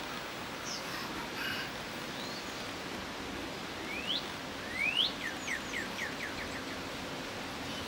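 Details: A cardinal, recorded 30 May 2012, gives two bright rising whistled slurs, then a quick run of about eight short, clear notes, over a steady hiss of background noise.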